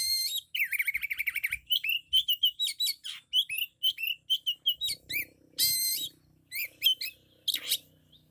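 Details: Kacer (Oriental magpie-robin) pouring out a loud, 'isian'-filled song: a fast vibrating trill, then a long run of quick, evenly spaced chirps and whistles, a harsh buzz, and more sharp notes, with faint low background noise.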